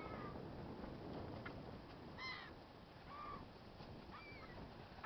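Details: Hungry gulls calling: a few short, harsh, slightly downslurred cries spaced about a second apart, heard over a steady rumbling background noise.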